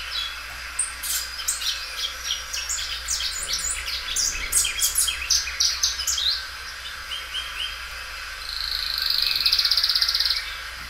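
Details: Belgian canary repeating and stretching its loud song: a run of sharp, evenly spaced chirps speeding into buzzy twitters, ending in a long, steady, high rolling trill.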